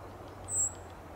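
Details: California towhee perched in windy Del Monte Forest, California, giving a contact call: one thin, very high 'tsip' lasting a fraction of a second, over a steady low rumble of wind.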